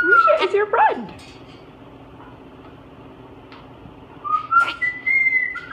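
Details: Pet parrot Boo, swinging upside down, notices Misha the Moluccan and makes sliding, warbling whistles, goes quiet, then ends with a rising whistle and a long, steady note in a quiet room.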